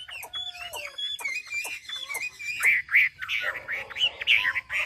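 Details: Hwamei from Hà Giang, Vietnam: scattered whistled slurs and short notes at first, then louder, richer warbled phrases repeated in quick bursts, with a low background hum.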